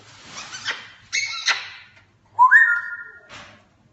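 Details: An African grey parrot does sound effects: a rough, breathy noise, then two sharp buzzy bursts, followed by a clear, steady whistled tone that rises slightly and is held for about a second, ending with a soft hiss.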